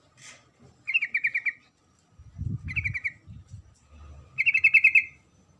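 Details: A female sooty-headed bulbul calls for the male with three brief chattering trills of fast repeated notes, a faint low rumble in between.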